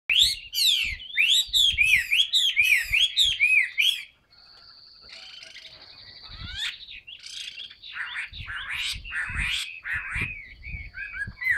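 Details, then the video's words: Caged Chinese hwamei in fresh new plumage, singing with its tail fanned: a fast run of loud, clear whistled notes sliding up and down, then a quieter, more varied warbling stretch with thin buzzy notes. "HM 275 siêu mẫu áo mới đẹp long lanh hót xòe bền"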